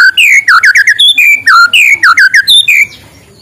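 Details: Loud morning song of a white-rumped shama, used to set quiet shamas singing: a dense string of bright whistled notes, each swooping down then up, repeated rapidly for about three seconds before fading.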